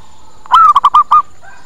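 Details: Zebra dove lure call used to draw in other birds: a loud, quick burst of five clipped, bubbling coos within about 0.7 seconds, the first note longer and slightly rising, followed by a faint soft trailing note.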